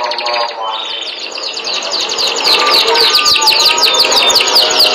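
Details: Canary singing a fast high chattering trill that grows louder after a quieter opening, with a faint lower murmur beneath.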